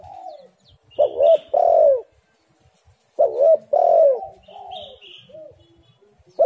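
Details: Lure recording of a Spotted dove meant to get doves calling: two complete cooing phrases, each a short hiccuping coo followed by a long, drawn-out descending note, about two seconds apart, with faint higher chirps between them.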